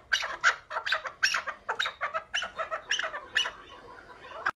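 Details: A chukar partridge (Alectoris chukar) gives a rapid series of harsh, clucking chuk notes, about three each second, fading slightly toward the end.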